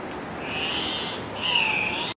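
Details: An Andean cock-of-the-rock at a lek in the early morning at Refugio Paz de las Aves, Ecuador, gives two harsh, drawn-out squawks in quick succession, the second a little louder and rougher, over faint background hiss.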